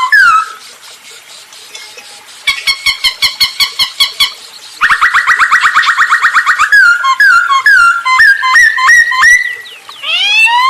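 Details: Masked laughingthrush singing hard as a lure for other birds; rhythmic pulsed notes repeated several times a second, a buzzy rattling trill, then jumpy whistled notes and a final rising sweep.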